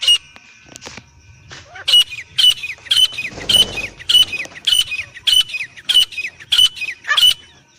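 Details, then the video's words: Black francolin male and female: after a soft start with a brief rumbling noise, clear high squawky notes with down-slurred tails repeat regularly about every half second. "دھکنی تیتر ایرانی تیتر نر مادہ کی صاف اواز"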